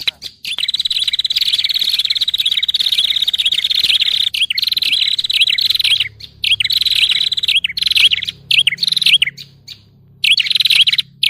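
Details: Prinia lure call for trapping any prinia type: rapid, buzzy high-pitched trills in long bursts, broken by short pauses and brief rising flicks, repeating over eleven seconds.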